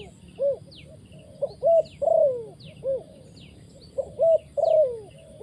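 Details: Spotted dove kept as a trapping decoy calls repeatedly: soft hooped coos in quick pairs then a long sliding note, the phrase repeating about every two seconds, with high thin chirps of other birds overhead.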